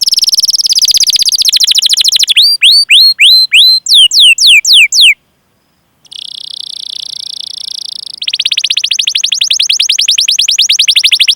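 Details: Canary rolling and chirping 'cuit cuit' as a lure for other canaries: a buzzy roll, a series of hooked falling whistles, a short silence, a sustained buzz, then a long, fast pulsed trill.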